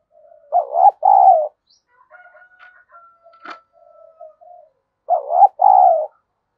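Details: Spotted dove kept as a decoy to provoke rival birds. It gives two loud low double coos, each a short wobbling note and a longer even note. Quieter coos, a thin sustained whistle and a sharp click fall between them.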